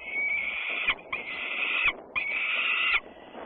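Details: Peregrine falcons at Włocławek, Poland, on a Sunday afternoon, 6 June 2010: three close, loud, rasping wails, each under a second, with quiet gaps between them.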